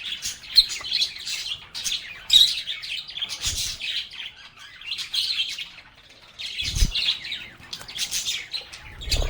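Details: Lovebirds talking and singing, with bursts of bright, shrill chirping alternating with calmer pauses, plus a few low knocks or thumps in the background.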